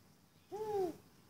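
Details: Spotted eagle-owl that arrived at a property in Johannesburg suburbia, South Africa, on 28 February 2014: a single soft, low hoot lasting under half a second, slightly falling at the end, in quiet surroundings.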